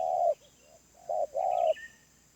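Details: Wild spotted dove with a medium-pitched voice: three low hollow coos, the first long, then a short and a longer pair a second later, over faint background hiss.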